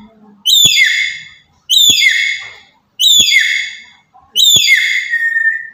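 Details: Black-capped lory from Papua uttering loud provoking calls: four shrill, harmonic screeches at regular intervals of just over a second, each with an abrupt start and a downward-gliding drawn-out finish, the last ending in a level tone.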